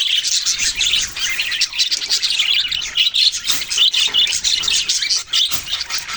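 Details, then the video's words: Loud, bright budgie chatter of rapid high chirps and trills continues without a break, full of many overlapping voices. "parrot sounds and chirping sounds"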